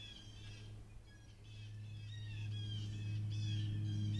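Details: Several blue jays calling all around a deck, some visiting a table for peanuts, caught on a trail cam in May 2023; overlapping harmonic, slightly nasal notes repeat over a steady low electrical hum that grows louder.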